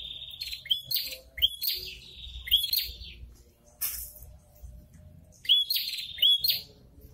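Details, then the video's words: A prinia (red-headed prenjak) in breeding condition gives bursts of sharp, high chirps with snapping clicks, roughly one burst a second, pausing briefly between phrases; males call back and forth when a female approaches. "PRENJAK KEPALA MERAH SEDANG BIRAHI"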